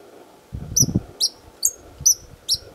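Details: White-vented violetear at Chapada Imperial, Federal District, Brazil, singing from its perch to defend the flowers of its territory: five sharp, high chips evenly spaced about every half second, with low thumping noise underneath.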